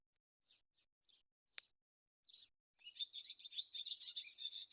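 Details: A few isolated thin chips and one sharp click from a swallow, then a sustained bright twittering stream of quick high warbled notes.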